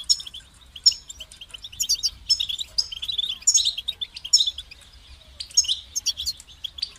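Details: Goldfinch singing a stimulating song: scattered chirps building into rapid tinkling phrases and trills, repeated in bursts every second or so with quiet gaps.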